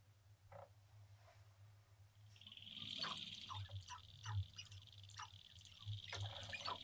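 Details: Male sharp-tailed grouse courting on a lek in central North Dakota in April 2021, recorded from a blind a few minutes before sunrise; scattered short clucks and cooing notes build after two seconds, over a steady low rumble.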